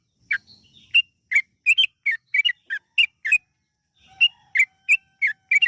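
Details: Yellow-vented bulbul song used as a lure to prompt other bulbuls to sing, in a long, rapid 'ropel' style: short bright chirped notes, about three per second, with a brief pause near the middle.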